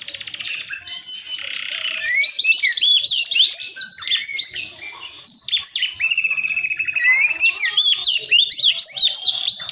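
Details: Young Priangan oriental magpie-robin, forest-born in West Java, learning soft then rough chirping ('ngriwik') toward loud 'ngeplong' song; vigorous bursts of rapid trilled chirps, sweeping whistles and harsh notes, with brief pauses.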